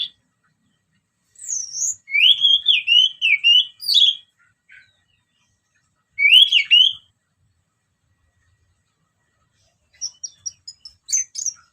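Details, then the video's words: Orange-headed thrush song used as a lure to stimulate other birds: loud whistled phrases around two seconds with wavering rising and falling notes, a short burst near six seconds, then thin high chips at the end; no other sounds. "Kicauan Anis Merah Bikin Emosi Dan Gacor"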